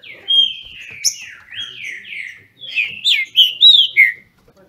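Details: Captive Green-winged Saltator (trinca-ferro) in Brazil, singing against a rival: smooth, drawn-out whistles sliding down, followed by louder, faster rising-and-falling phrases.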